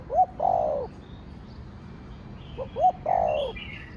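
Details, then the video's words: Spotted dove coo, 'thổ đồng' voice style meant to stir other doves: two phrases, each a short rising note then a loud, long, downward-curving hoarse coo, separated by a pause; faint chirps of small birds. "Cu gáy giọng Thổ Đồng Thúc, Gù kích bổi nhanh nổi/ tiếng chim cu gáy giọng thổ đồng gáy, cu đất gáy"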